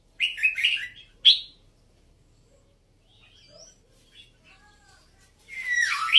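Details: A cage-kept Red-whiskered bulbul of Vietnamese and Uttaradit stock gives a quick burst of bright, liquid, warbled phrases, then another after a pause. Faint soft chirps from other birds fill the gap.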